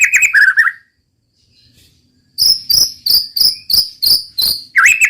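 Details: White-rumped shama (murai batu) in roll tembak: a rolling warble, over a second of silence, then seven even, buzzy high shots ending in another warbled burst.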